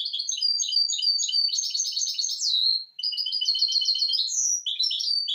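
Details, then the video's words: Hybrid misto, tutoring song for fledglings: rapid warbling chirps merge into trills, a brief pause, then another fast phrase of rolled notes and clear whistles. "شريط طائر الميستو الهجين للتحفيظ الفراخ"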